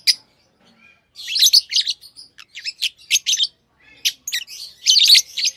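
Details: Tame lovebirds chatter in dense runs of high, scratchy chirps and squeaks, strung together almost continuously after a short quiet start.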